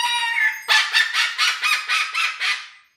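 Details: Cockatoo giving a long harsh screech, then six loud raspy squawks in even rhythm, about three per second, fading out at the end.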